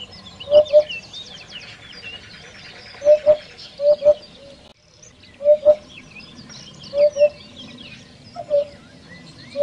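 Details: Common hoopoe repeating paired low, hollow 'hoop-hoop' notes roughly every one to two seconds, steady and even, over a quiet chatter of distant small birds.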